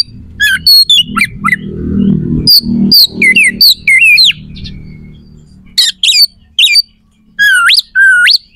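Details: Oriental magpie-robin delivering a coarse, sharp song used to make other magpie-robins respond and fight; quick clusters of high notes and twisting whistles, a pause, then two long rising whistled sweeps near the end, with low hum beneath.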